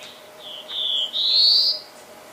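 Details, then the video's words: Black-throated blue warbler song: a few short buzzy notes leading into a longer, rising, buzzy drawl that climbs at the end, lasting under two seconds, with a faint steady hum behind. "Reinita Azulada"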